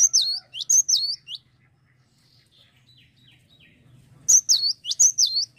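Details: Cinereous tit in lively song, giving a run of high, bright, down-slurred double whistles, a quiet gap with faint softer notes, then the ringing phrase repeated again.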